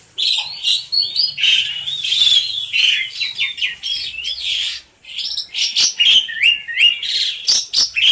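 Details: Tame pet black-collared starling, a loud household bird used to train others: a continuous rapid jumble of whistled, buzzy and twisting notes, with brief swooping phrases and one short pause midway.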